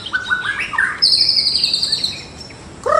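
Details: Energetic white-rumped shama song meant for morning bird training: a run of varied mid-pitched whistled notes, then a long, high, quavering whistle that slowly descends, ending on a sudden lower note.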